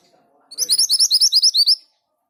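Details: Single orange minivet phrase: a fast, even string of about eleven high, slurred whistled notes over roughly 1.3 seconds, clean and loud.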